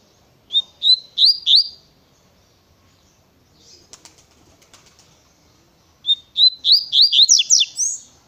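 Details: Fast Tui Tui style song from a double-collared seedeater: clear upslurred whistles quickening into a run, a short gap with soft clicking and rustling, then a longer accelerating burst.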